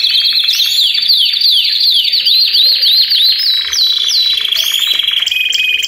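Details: Several Belgian canaries singing at once, a chorus meant to spur other canaries, especially young birds or adults after moulting, to sing. Dense overlapping rolled trills and rapid down-sweeping notes run without pause, with high metallic whistles above.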